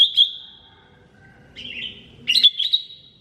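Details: A lesser green leafbird sings sharp chirps and sustained whistles, then a jumbled, fluttering phrase of quick notes ending in a long clear whistle.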